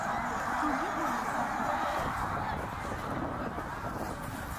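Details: Migrating snow geese at Middle Creek, Pennsylvania, in 2023, tens of thousands of birds calling together; a thick, steady wash of overlapping honks, loudest in the first half and easing slightly toward the end.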